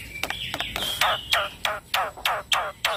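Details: Young male black-winged myna singing in a rolling style, kept as a tutor bird: a run of loud harsh downward-sweeping notes about every third of a second, with steady buzzing in the background.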